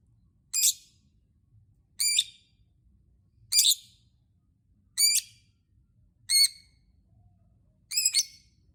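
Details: Lovebird calling to provoke other lovebirds into song. Six harsh, high, squeaky calls, some doubled, given about every one and a half seconds with silence between them.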